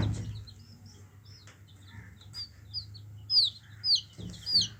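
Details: Yellow chicks of a hen, faint at first, then three loud high downward-sweeping peeps in the last two seconds over a low hum.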